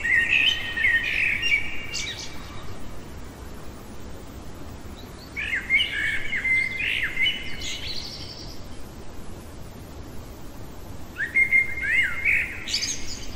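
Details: A common blackbird singing in the middle of the night gives three mellow, fluted phrases, each ending in a squeaky twitter, spaced by pauses of about three seconds over a steady background hiss.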